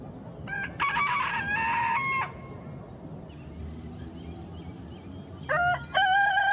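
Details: Rooster crow in a noisy setting: a harmonic crow with a wavering middle section, followed by a steady murmur of background noise and the start of a second crow at the end.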